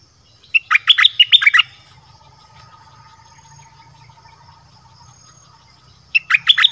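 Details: Red-whiskered bulbul singing in the dok taeng song style, a recording used to lure wild birds; a rapid burst of liquid, chirping notes, then a long quiet gap with faint hum, and another burst starting at the end.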